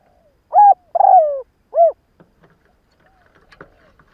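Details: Decoy spotted dove cooing in the morning to lure wild doves: three loud, hollow low coos, the middle one longer and sliding downward, followed by faint clicks and soft rustling.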